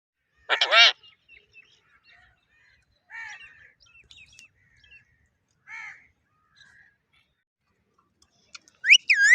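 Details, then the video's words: Pet parrot giving a few scattered calls: a loud harsh squawk, then softer chattering and raspy notes with long silences, ending on a sharp rising whistle. "Cute Parrot Mithu Sounds"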